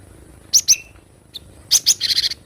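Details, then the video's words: Javan munia, wild, with paired high sharp chirps, then another pair followed by a rapid buzzy trill of short notes. "Masteran glatik batu dengan suara asli alam liar"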